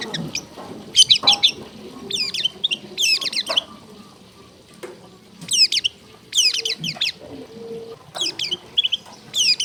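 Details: Long-tailed shrike training song meant to prompt silent caged shrikes to sing; bursts of high, sharp, rapidly chattered notes recur every second or two over a steady background of running water and low noise.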